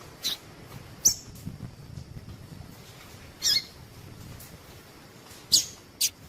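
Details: Call of a female double-collared seedeater, meant to get males singing: about six brief, high-pitched chip notes at uneven intervals, with low background hiss between them.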